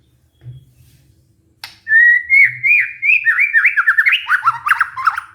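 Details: Lure song of a white-rumped shama meant to prompt a stressed, silent captive bird to sing again: a steady whistled note opens, then slurred notes speed into a tumbling, jumbled rush.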